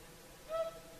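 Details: Whooper swan, Finland's national bird, calling in its evening concert at sunset on the shore of Lake Saimaa; a single short, nasal trumpeting note rises briefly out of soft, steady background hiss.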